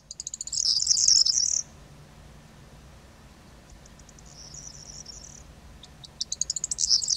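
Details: Perched corn bunting singing in autumn: a stuttering run of quick ticks speeding into a dry jangling rattle, repeated after a pause, with a faint softer phrase between and low background rumble.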